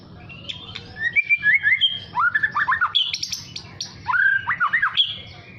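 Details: Juvenile white-rumped shama learning to sing, trying out its song. Varied whistled slurs, buzzy chips and quick rising-falling notes tumble in uneven bursts, over a steady low background hum.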